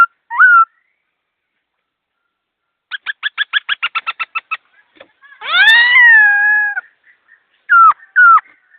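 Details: Laughingthrush singing fast with clear notes: a short whistled slur, then a quick run of about ten even clipped notes, then a long loud rich whistle falling slightly, ending with two brief whistled phrases. The background is quiet.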